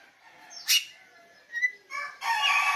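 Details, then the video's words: Song of an oriental magpie-robin (kacer bali, pupuan): a sharp rasping burst, a thin whistled note, then a sustained harsh, grating phrase with layered tones closing the passage. "kicau kacer bali , pupuan."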